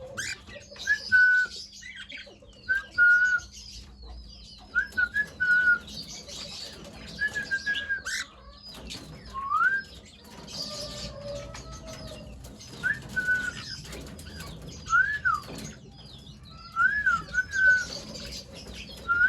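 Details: Pet cockatiels chirping while eating give short whistled chirps, rising and falling, repeated every second or two.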